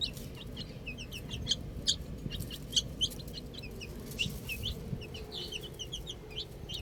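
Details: Little chicks playing with a ball, giving short high chirps, many overlapping peeps scattered irregularly, some sharper louder notes, with a low background hum.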